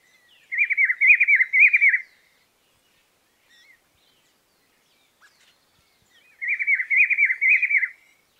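A Rufous-browed Peppershrike gives two rich, warbled phrases about a second and a half long, rolling up and down, with a four-second pause between them; nothing else intrudes.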